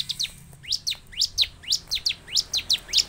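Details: Bar-winged prinia (ciblek) song used as a lure to get caged birds singing: a rapid series of high, sharp descending chip notes, some doubled, repeated about four times per second with a steady rhythm.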